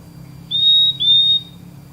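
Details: Purple-throated Euphonia calling with two pure, high whistles in quick succession, each held evenly for about half a second, on a quiet background.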